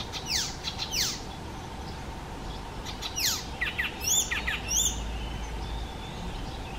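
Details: Icterine warbler, known for mimicking other species, mixing harsh downward-sliding notes with twanging high rising notes and short whistles in an uneven sequence.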